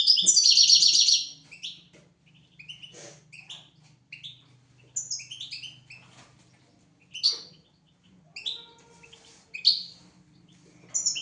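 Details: European goldfinch on a teaching recording for goldfinches and canaries: an opening burst of dense high twittering, then scattered short chirps and buzzy notes over a faint low hum.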